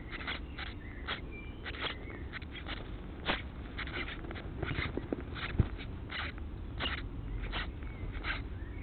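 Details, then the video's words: Begging house sparrow chicks at feeding time: rapid, scratchy chirps repeated in quick irregular bursts, with a few faint thin whistles and a low, constant background hum throughout. "HOUSE SPARROWS FEED CHICKS"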